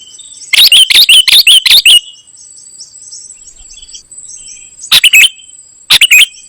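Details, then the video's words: Golden-fronted leafbird singing often with mimicked phrases: a fast series of six loud, harsh, sweeping chirps, a pause, then two further scratchy bursts, over constant high insect-like hiss. "Ternyata seperti ini suara burung KUTILANG EMAS 😲 gacor isian"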